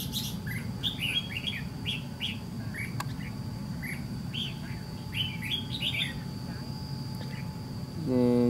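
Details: Red-whiskered bulbul with white cheeks answering a caged decoy in a trap fight. It gives a busy run of quick, rising and falling chirped notes for about six seconds, then a man starts speaking at the end.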